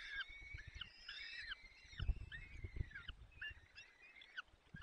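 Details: Afternoon of 30 April 2020 at a peregrine falcon eyrie in the Barycz Valley, Poland, as the male tears prey for the chicks: thin, wheezy squealing calls, each sagging at the end, with soft low bumps.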